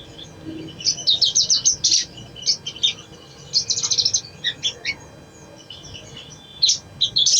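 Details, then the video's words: Sogok ontong (ruby-cheeked sunbird) song used as a singing lure: bursts of sharp, high, rapid chips and trills, some spaced phrases and short gaps, with a soft low background hum. "SOGON | SOGOK ONTONG | PANCINGAN AGAR CEPAT BUNYI | MALAS BUNYI JADI RAJIN BUNYI"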